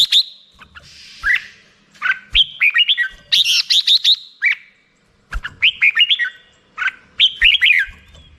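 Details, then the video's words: Black-crested bulbul giving rapid bursts of high chirping and whistled warbles, grouped into several quick phrases with pauses between them. "HD suara burung merbah jambul mp3"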